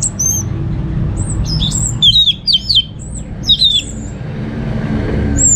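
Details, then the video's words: Orange-headed thrush kept at a house in Singaraja, North Bali, used as a song lure: a few high, sweeping whistled notes that rise then drop sharply, given in a quick cluster mid-way, over a low background rumble. "Suara ANIS MERAH Berkicau"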